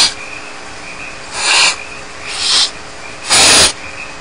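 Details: Unattended barn owl nestlings at Starr Ranch beg with rasping, snore-like hisses. Three bursts grow louder, the last the strongest, spaced roughly a second apart.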